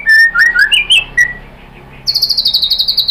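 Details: Lure song of a white-rumped shama meant to prompt other shamas to answer, showing off mimicry: a few loud swooping whistles, a brief quiet pause, then a fast high chattering series of repeated notes.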